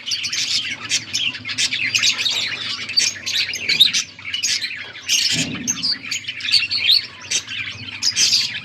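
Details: Budgie flock chirping, August 14, 2024: overlapping squeaky warbles and rapid chirps from many birds, a short low thump near five seconds, with a faint hum underneath.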